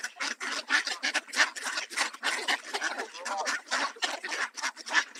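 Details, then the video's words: A flock of mallards quacks loudly being fed birdseed alongside honking Canada geese in Southern Ontario, Canada, harsh nasal quacks tumbling over one another several times a second in a busy, excited, overlapping chorus. "Ducks Quacking"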